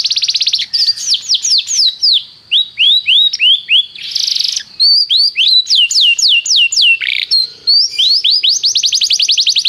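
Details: Canary training song: varied rolling tours of swooping whistled notes, fast trills and short buzzy bursts, strung together continuously for nearly ten seconds.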